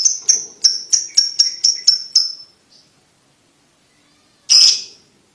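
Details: Lovebird giving a ticking call used to train young lovebirds to trill quickly: about eight sharp, high ticks in quick, even succession over two seconds, a short pause, then one louder, harsher burst.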